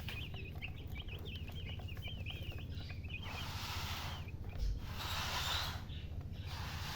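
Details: Baby chicken chicks chirping: a run of thin high peeps, mostly downslurred, through the first three seconds, then hissy bursts of broadband noise over a constant low rumble.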